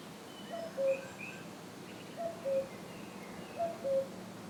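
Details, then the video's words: Wild common cuckoo calling among the ruins of the Château de Fallavier, France: three clear two-note cu-ckoo calls, a higher note falling to a lower one, repeated roughly every one and a half seconds over faint background noise. "The croon of a wild Cuckoo bird"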